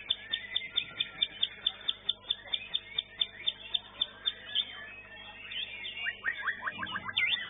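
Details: White-rumped shama singing in a bird-singing contest in Indonesia: rapid series of sharp high whistled notes repeated about every quarter second, then varied chattering phrases, with many other competing birds singing at once.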